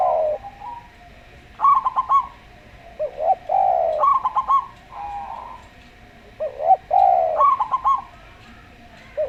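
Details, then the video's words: Local zebra dove with a slow-style voice, played together with a Javan derkuku, used as a lure to get doves singing: quick stuttered bursts of high coos alternate with smoother, lower arching coos from a second dove. "Perkutut Lokal Suara Slow"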